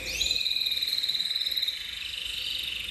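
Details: Canary of the intense cobalt copper colour variety singing: a rapid rolling trill held steady at high pitch, opened by a quick upward sweep, with a lower trilled strand beneath and a faint background hum.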